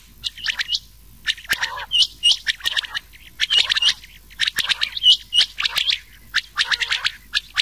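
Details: Rain quail with old quail voices mixed, recorded for night hunting in summer. Rapid high, metallic notes come in irregular bursts about a second apart, some with a lower, harsher edge.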